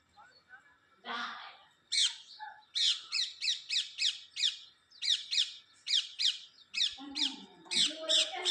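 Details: Pet parrot said to be talking: a low murmur, then a long series of short, harsh, high squawking notes, each sharply rising and falling, repeated about once a second with brief gaps.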